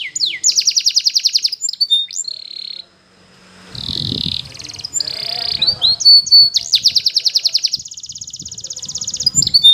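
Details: Belgian canary training song for young canaries: bright rapid trills and steady high whistled notes, broken midway by a soft low rumbling noise, then more fast rolling trills.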